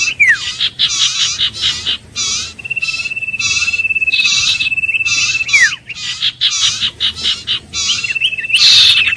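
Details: Iora calling: bursts of rasping, buzzy notes in quick series, several slurred whistles that drop steeply in pitch, and a sustained, even, trilled whistle stretching over two seconds, followed by more harsh chatter.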